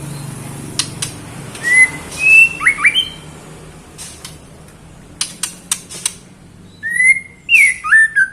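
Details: Female white-rumped shama, a cage bird, calling the male: repeated phrases of clear, swooping whistles in rapid sequence, separated by sharp clicks and taps.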